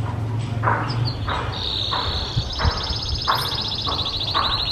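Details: Pet canary singing as training song for other birds: a sustained high trill of rapid repeated notes with a steady whistled tone, broken by regular dull thumps and knocks.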